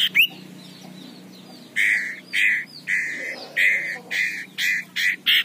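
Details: Aggressive male common iora giving harsh, rasping calls, a steady string of about eight coarse buzzy bursts, each lasting roughly a quarter second, after a brief sharp note at the start.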